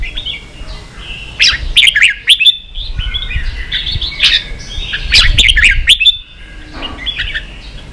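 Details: Caged red-whiskered bulbul singing competitively: fast bursts of bright chirped notes and short warbles, with soft low thuds beneath and a quieter close.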